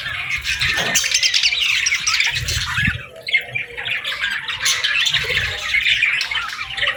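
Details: Chirping parakeets at morning time: harsh squawks and rapid warbled twitters overlap in a steady flock chatter, with occasional low knocks.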